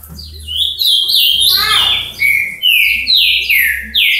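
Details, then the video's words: Azulão (Ultramarine grosbeak) from Paraná singing a loud, fast phrase of sweet, slurred whistles, many notes falling in pitch, delivered almost without pause over a faint low hum. "azulão canto"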